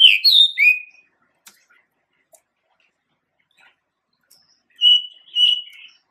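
A male Pied Bushchat gives a short burst of three sweet, warbled whistles, a pause of near silence, then two more bright phrases.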